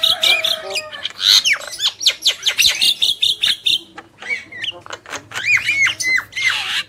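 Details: Black-winged mynas, male and female, in loud rapid song of harsh squawks, clicks and hooked whistles, tightly packed and rhythmic, ending in a rasping burst.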